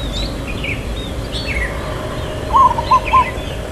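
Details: Local zebra dove with a long "kuk" song in irama lelah rhythm: after a pause filled with faint chirps of other birds, one phrase of three ringing coo notes, the first held slightly longer.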